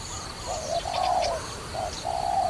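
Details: Low, smooth cooing from a dove used for trapping: two phrases, each a short note leading into a longer coo, with soft high bird calls faintly behind.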